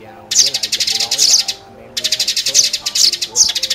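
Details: Sparrows calling on a trapping lure track: fast chattering runs of buzzy chirps, a short pause, then another chattering run, over a man's background talking.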